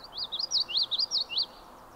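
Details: Common Yellowthroat male at John Brown Farm, Adirondacks, recorded 26 July 2019, giving its wichety-wichety song: about four quick repeated high warbled phrases in just over a second, then quiet.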